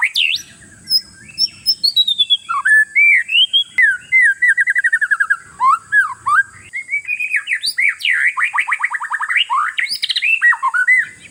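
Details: Oriental magpie-robin kept in a cage, singing to provoke rivals: a long unbroken stream of rich whistles, rapid trills and quick slurred notes, growing denser toward the end, over a constant high hiss.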